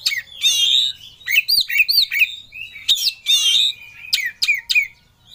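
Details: Oriental magpie-robin in ngobra, full-emotion singing while seeking a rival: loud clear whistled phrases, sliding and looping, interspersed with sharp high chips and brief gaps.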